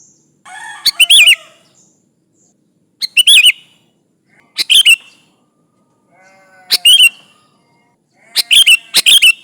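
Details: Sooty-headed bulbul calling rivals as a lure: five bright, chattering phrases of rapid whistled notes with a looping slur, repeated every two seconds or so, over soft twittering from other birds.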